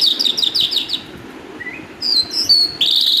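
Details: Singing calandra lark giving a rapid run of sharp, high chirps, a short quiet gap with one soft rising note, then shrill whistled phrases and a sustained high buzzy trill, against faint low background noise.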